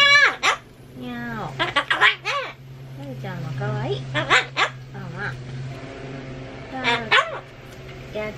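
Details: Pet Solomons cockatoo indoors, repeating a word over and over to compete with renovation noise; strained, wavering harmonic syllables in quick bursts over a steady low machine hum, with a person greeting the bird.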